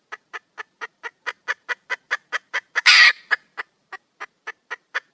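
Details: Female red junglefowl calling for a male in the wild: evenly spaced short clucks, about four per second, interrupted midway by a loud harsh noisy squawk.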